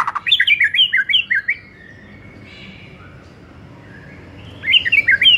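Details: White-rumped shama song for an afternoon lure: bouncing two-note whistled phrases repeated rapidly, a long quiet stretch of faint background, then the bouncing phrases return.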